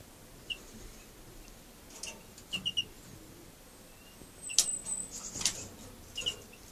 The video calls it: Siberian bullfinch cock outside nest